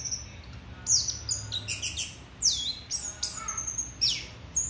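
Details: An orange-headed thrush used as a lure call sings high, thin whistled notes, some sharply rising and others slurring down, in quick uneven bursts about every second against a faint low hum.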